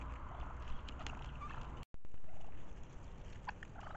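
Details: Wild turkeys in spring, a season when they turn to courtship and their normal food. A few faint, rapid rattling bursts stand out against steady low rumbling background noise, and a brief dropout occurs midway.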